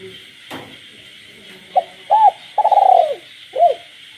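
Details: At night in the countryside, a kept spotted dove coos while frogs call. After a sharp knock, soft arched notes build into a fluttering run that ends in a long falling coo, then one more rounded note, over a steady high drone.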